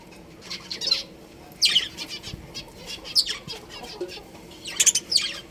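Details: A breeding pair of pet budgerigars making rapid scratchy chirps and twitters in uneven bursts, some doubled, against a quiet humming background.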